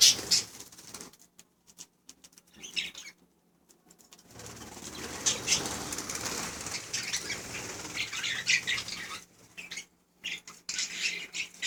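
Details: Budgerigars chattering continuously in high, scratchy, fast-warbling phrases broken by brief silent gaps, with fluttering and rustling sounds mixed in.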